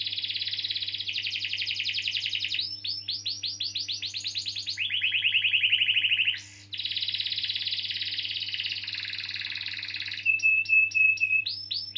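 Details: Canary pouring out extended rolls, played to get young or silent canaries singing; successive trilled tours at changing pitches, one brief break near six and a half seconds, ending with sharp separated notes, steady hum underneath.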